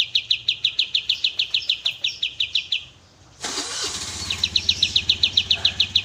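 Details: Tembak-style Oriental white-eye, a master recording for cage birds: fast evenly spaced high chirps, a sudden loud hiss midway, then the chirping series resumes.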